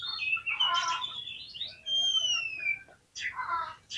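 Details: Oriental magpie-robin singing as a lure for fighting response: rough, scratchy chatter gives way to a long, pure whistle that slowly falls in pitch, then more harsh chattered notes follow.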